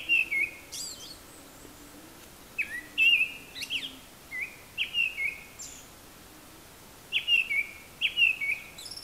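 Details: Song of a Japanese thrush perched high out of sight, apparently imitating assorted calls: repeated phrases of bright whistled, looping notes, each ending in a sharp high squeak, delivered every second or two with brief pauses.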